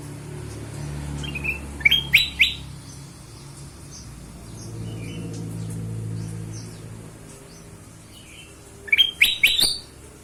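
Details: Ruby-throated bulbul lure sound for drawing song from other birds: two bursts of sharp, quick chirps and short rising notes, one near the start and one near the end, with faint distant chirping and low rumbling between.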